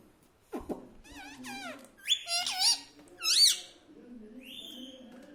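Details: Talking pet parrot repeating mummy papa: a run of harmonic, arched word-like syllables and a squeaky high note, followed by a thin, steady whistle.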